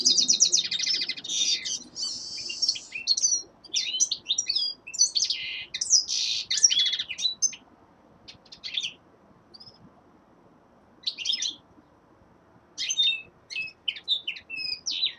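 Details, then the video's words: Common linnet, a young male, singing in winter: a dense, rich stretch of twittering and trills for the first seven seconds, then sparser chirps and short twitter phrases separated by silent gaps. "Песенка Реполова Коноплянки song of Carduelis cannabina"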